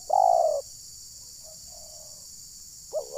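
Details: Trapping decoy terkukur, the spotted dove, in a village in Ujung Batu, Rokan Hulu, Indonesia, calling to provoke wild birds; one strong steady coo is followed by faint distant coos and a short rising note.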